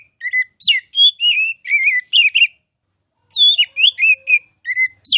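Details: Oriental magpie-robin, called kacer, sings a varied run of whistled slurs and chirps, pauses for about a second, then resumes the rapid phrases.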